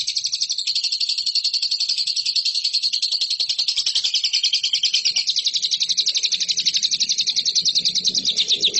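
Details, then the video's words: Lovebird used to train competition birds, giving a long shrill rattling trill of quick pulsed notes, steady and unbroken, becoming slightly harsher toward the end over faint low background noise. "MASTERAN LOVEBIRD RAHASIA BURUNG JUARA"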